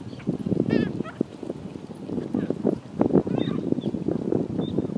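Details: Black Skimmer flock gathered with gulls and sandpipers on the Tampa Bay shoreline, St. Petersburg, Florida, giving a steady jumble of short, nasal, barking yaps with a few higher thin notes.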